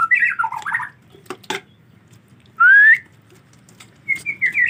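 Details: White-rumped shama during the rainy season, reluctant to bathe: a short jumbled whistled phrase, a few clicks, one pure rising whistle, then brief high chirps.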